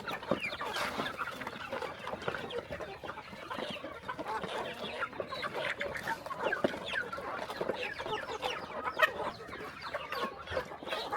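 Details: Countryside farm chickens at morning feeding, a long unbroken mass of overlapping clucking and peeping from a crowded flock, evenly busy from start to finish.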